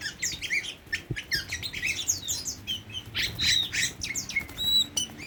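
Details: Tame Oriental magpie-robin singing a rapid, varied song of sharp chirps, slurred whistles and scratchy notes tumbling over one another, with a steady low hum in the background.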